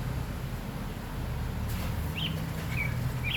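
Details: Singing oriole gives three short, clear whistled notes near the end, separated by brief pauses, against constant low-pitched background hum.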